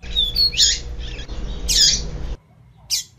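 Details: A few quick, harsh, high-pitched chips from a female double-collared seedeater, a call used to rouse the male, with a faint whistle and low droning hum behind.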